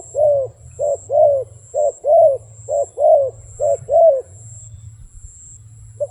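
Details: Steady series of soft, arched coos from a wild dove, alternating short and longer notes at about one per second, then falling silent, with a faint low hum behind.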